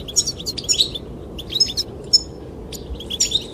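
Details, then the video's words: Goldfinches singing to attract the female. Short bursts of sharp, high chirps and buzzy twitters come roughly every half second, with faint wind behind them. "the chirping of goldfinches"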